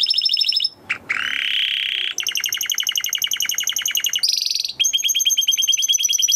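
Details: Timbrado canary training song with varied tours: a buzzy trill, a brief gap, a long rasping buzz, a steady rapid rattle, a high ringing note, then a fast lower trill.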